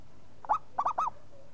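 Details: A local zebra dove gives three soft rounded coos, the first short, the last two longer and arching, over quiet background.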